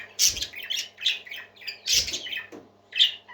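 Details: Happy parakeets singing indoors: bursts of harsh, bright squawks and chirps in short clusters, loud peaks near a quarter second, two seconds and three seconds, with a faint low hum underneath.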